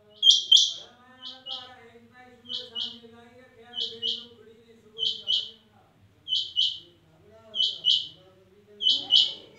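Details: A female rain quail gives sharp, high doubled notes, pairs repeating roughly every second, while a person talks steadily in the background.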